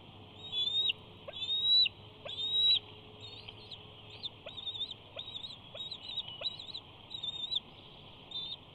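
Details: Male bald eagle chattering at close range beside a nest camera at Big Bear while preening and stretching, 6-5-19; thin, high, squeaky notes in bursts about once a second, rising then flattening, over faint steady low hum.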